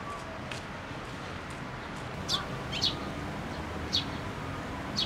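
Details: Sparrows at a Tenmangu shrine come to a pillar to be fed, recorded 26 June 2024; short, high chirps at irregular intervals, about four in five seconds, over a steady low background hum.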